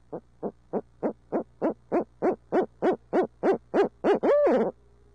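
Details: Barred owls of midtown Tulsa in a long hooting bout: some thirteen rapid, regular hoots building in strength, then a sustained arched call that wavers and fades.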